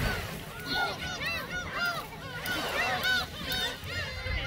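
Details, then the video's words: Gulls at Seonjaedo being fed shrimp crackers: a crowd of overlapping arched, nasal mewing calls rising and falling, several birds calling at once, with low rumbling background noise. "선재도 갈매기 새우깡"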